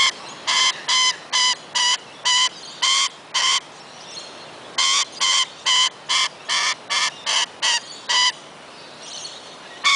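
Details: Wild lorikeets in their own forest at Kioloa, Australia, giving harsh, shrill screeches in two quick bouts of about a dozen notes each, roughly two per second, with a short pause between bouts.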